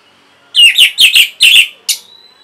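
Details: Lively orange-headed thrush song for training caged birds to sing: loud, rich whistled phrases in two pairs and a fifth, followed by a short sharp high note and a faint thin whistle.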